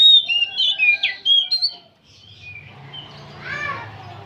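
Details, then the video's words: Old kacer, or oriental magpie-robin, keeps up its song with loud, rich whistled notes and quick rising and falling slurs for two seconds. Softer, faint warbling and a low hum follow. "Kacer tua jiwa muda nyerecet bunyi tanpa henti"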